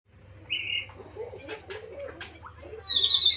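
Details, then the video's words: Murai singing: a short doubled whistle, then quick rasping and buzzy notes and a falling slur, ending on a run of high, rapid twittering. A low steady hum sits underneath. "kicau murai"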